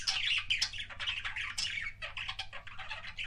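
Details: Pet budgie kissing sounds: loud, rapid scratchy chatter with clicks and high squeaks, packed tightly throughout three seconds over a low steady hum.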